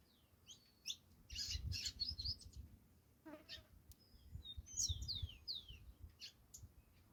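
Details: Saffron finch song, dense and lively, made of rapid high chirps, trills and downslurred notes, pausing briefly before another busy phrase, with low background rumble throughout.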